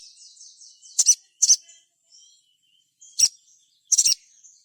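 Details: Crimson sunbird (sogon) singing to prompt other sogon to sing and answer: a soft, high, repeated slurred twitter, then loud, sharp double and triple chirps at intervals.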